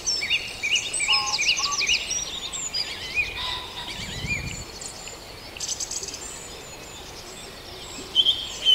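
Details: Birds in a dawn chorus at Farndale: quick trills and sweeping notes crowd the opening seconds, a low brief rumble midway, then sparse high whistles and a final bright burst.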